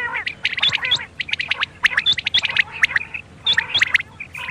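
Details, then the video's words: Quail calling at night: clusters of high squawks and chirps from several birds, irregular bursts separated by short gaps, a steady faint hum below. "بٹیروں کی بولی رات کے لیے"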